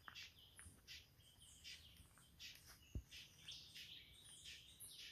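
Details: Jamaican tody at Tulloch Estates, Jamaica: short, high chirps and quick twittering notes scattered through the clip, some in rapid little bursts, with a soft thump just before the three-second mark and faint background hiss.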